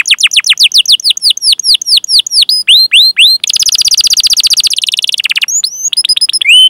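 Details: Canary training song: repeated downward-curving whistled chirps, a rapid buzzy rolling trill in the middle, then sharp high chirps and a rising whistle.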